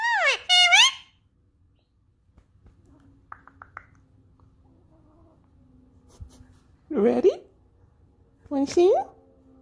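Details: Indian ringneck parakeet kept as a pet, trying to sing with its owner in a quiet room: harsh rising squawks at the start, soft clicks, then two more rising squawks spaced apart.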